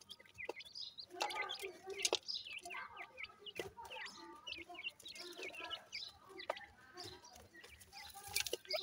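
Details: Grey francolin chicks peep continuously, a busy tangle of short high chirps, some faintly buzzy, with brief clattering noises in the background.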